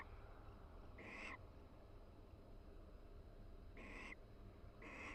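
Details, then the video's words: Mated barn owls vocalizing quietly while mutually preening in a University of Florida nest box in breeding season. Three short, breathy, rasping bursts, one near the start and two close together near the end, separated by a low background rumble. "Barn Owl Pair Chats and Preens Inside the Nest"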